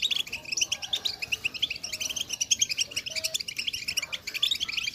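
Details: European goldfinch twittering, played to stimulate a silent captive goldfinch into song; dense, fast, bright chirps and trills run without pause, high-pitched and overlapping as if from several birds.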